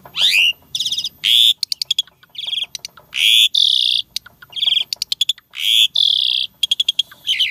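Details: Asian pied starling in full gacor song with unusual imitated elements: long harsh buzzy blasts alternating with rapid clicking rattles and bright whistles, loud and nearly continuous.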